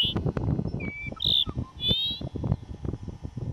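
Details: Dupont's lark (Chersophilus duponti) call at Duraton Gorge, May 2005: a few thin, high whistles, some slurred and rising, about a second apart over heavy low rumbling wind noise.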